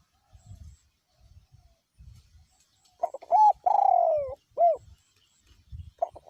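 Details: Gusts of low wind rumble, then a spotted dove decoy bird gives one full coo: short notes, a long falling drawn-out coo and a final short hoot, another phrase just beginning at the end.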